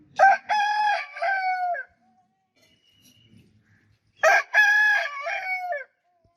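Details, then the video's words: A rooster gives two full crows roughly four seconds apart. Each is a sharp burst, then a long, harmonically rich, falling drawl. Near silence fills the gap, with faint low sounds. "Rooster Crowing Sound Effect Continuously"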